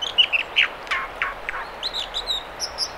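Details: American dipper singing in the Mamquam River spawning channels near Squamish, British Columbia: a rapid run of varied high whistles, slurred downward notes and thin trills, with a steady rush of river water underneath.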